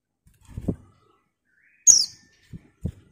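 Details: A female white-eye calls to a male, giving a single loud, sharp, high descending chip. Low muffled thumps come before and after it.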